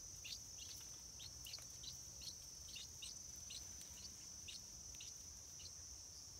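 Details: Short high chirps from stripe-throated bulbul chicks about to make their first flight, given in quick irregular clusters against a constant shrill insect hum.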